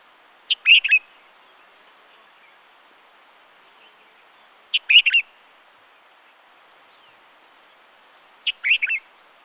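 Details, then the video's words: Himalayan Bulbul from Uttarakhand, India, calling: three short, bright, chattering phrases of a few rapid chirps each, spaced about four seconds apart, with quiet hiss between. "Himalayan Bulbul Calling"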